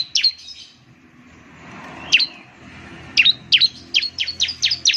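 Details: Bar-winged Prinia (ciblek) lure song: a few isolated shrill, down-slurred chips at first, then a quickening run of bright repeated notes toward the end, with low background noise.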